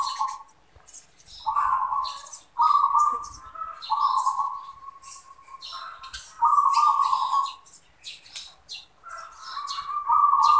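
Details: Zebra dove in captivity giving its cooing song: soft, rolling trilled coos repeated in phrases every couple of seconds, with faint high chirps from other small birds in the background.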